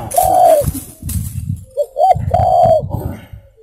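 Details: Spotted dove cooing for bird luring: long low coos separated by short clipped notes, with rustling and knocking noises underneath.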